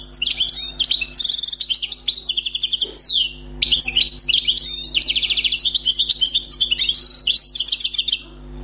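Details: Wild-caught European goldfinch, newly trapped, sings a flowing, error-free song: fast twittering phrases, buzzy rattling trills and a sweeping downslurred note, broken by two short pauses, against a faint steady low hum.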